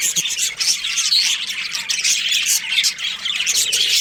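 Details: Breeding-pair budgerigars in a colony giving rapid high chirps and rasping squawks, a dense unbroken chatter with a few clearer whistled notes standing out.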